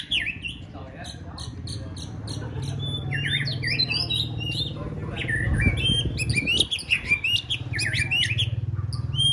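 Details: White-rumped shama in its fourth season, trained for a singing contest; a fast run of whistled, sliding and warbled phrases with varied notes, over a steady low hum.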